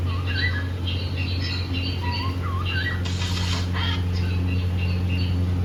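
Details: Happy cockatiel couple kept as pets in India chirping while playing: short whistled upslurs and wavering notes, a brief burst of rustling or flapping midway, constant low mechanical hum beneath.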